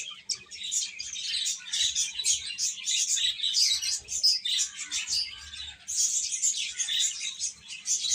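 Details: A crowd of domestic chicks peeping nonstop, their sharp high tweets piling into a busy, unbroken wash of sound with brief dips in volume.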